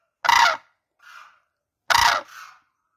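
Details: Two loud, rasping crane calls about one and a half seconds apart, each followed by a softer, lower, hoarse note.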